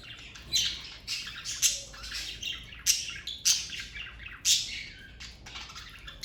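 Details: Domestic budgerigars from a parakeet family squawk and chirp in loud harsh bursts roughly once a second, with softer warbled chatter filling the gaps.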